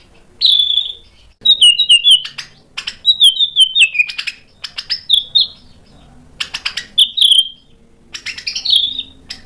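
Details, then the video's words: White-rumped shama provoked into singing by a lure recording: loud, clear whistled phrases with sharp clicks and chattering notes, delivered in separate bursts with short pauses. "PANCINGAN MURAI BATU BIKIN EMOSI JADI NYAUT GACOR BONGKAR MATERI ISIAN | SHAMA BIRD"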